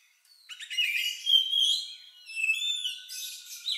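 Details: Oriental magpie-robin song with an unusual tune, likened to a lovebird's, used to provoke other birds into singing; clear whistled phrases with sliding, rising and falling notes and short chattering bursts in quick succession, no other sounds.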